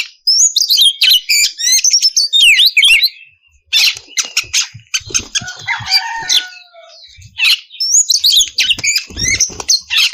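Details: Female oriental magpie-robin in breeding condition calling the male: rapid high whistled phrases and rasps, a softer stretch with a low drawn-out whistle mid-way, then another burst of fast twittering whistles.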